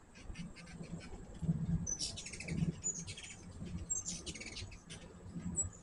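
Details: Hummingbirds at a feeder: bursts of very high, thin chips and short squeaky twitters come in clusters around the middle and end, over a steady low rumble of background noise.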